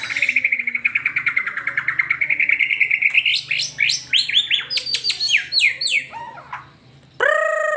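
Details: White-rumped shama, fast song used as a lure for pet birds: a three-second rapid trill of repeated notes gradually rising, then sharp descending sweeps, a brief pause and a loud nasal rasp to finish; low hum beneath.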